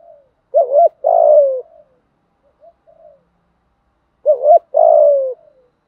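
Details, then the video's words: Spotted dove giving fighting coos used to stir decoy birds into singing: two phrases roughly four seconds apart, each a short double hoot and a long descending coo, with soft faint notes between. "chim cu gáy thúc đấu và gù đấu kích bổi rất lẹ gáy. tiếng chim cu gáy dùng luyện mồi gáy theo"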